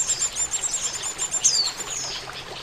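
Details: High, hurried twittering from an Oriental white-eye used as a trapping lure, with one brighter falling whistle in the middle and a hissy background.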